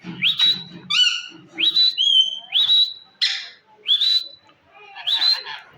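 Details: Indian green ring-necked parakeet, a pet talking parrot, giving a run of sharp rising whistles that level off high, about one every half to one second, mixed with harsh harmonic squawks and faint low murmurs between calls.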